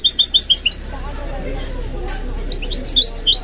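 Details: Kept goldfinch-canary mule uttering two short bursts of quick, high repeated chirps with a quiet gap between them.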